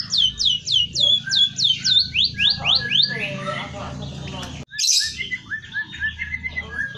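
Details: White-headed munia singing with mimicked canary and oriental magpie-robin phrases: a fast series of about ten high, downward-swept whistles, then a tumbling mix of twittering notes, a brief pause, and more varied chirps.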